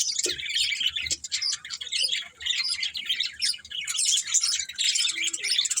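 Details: Budgerigars chirping in a continuous, dense chatter of high, rapid twittering notes, with short buzzy and squeaky elements overlapping throughout and barely a pause between calls.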